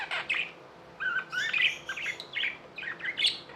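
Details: Pet budgerigars, tame birds in India, giving raspy warbling chirps in short phrases, with brief pauses and a few harsh squawky notes.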